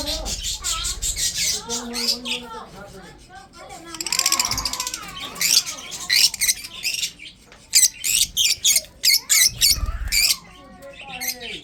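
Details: Breeding budgerigars chatter while eating food: dense, scratchy high chirps and buzzy warbles pour out in bursts, with choppy clicking pulses in the second half and faint low voices at the start.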